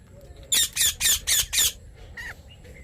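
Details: Parrot squawking: five harsh, loud, evenly spaced squawks in quick succession, followed by a couple of softer chirps.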